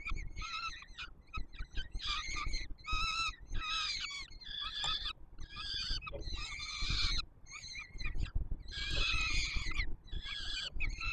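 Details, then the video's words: Feeding time for peregrine chicks at the Palace of Culture and Science in Warsaw, Poland, 7 July 2022, the male bringing food; wheezy, harmonic screeching in separate bursts with short silences, over low hum. "Franek karmi maluchy"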